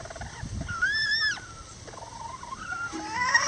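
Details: Miniature lavender bantam rooster or hen helping build a nest: a clear, arched, whistled call rises and falls, followed by softer rising notes and faint rustling.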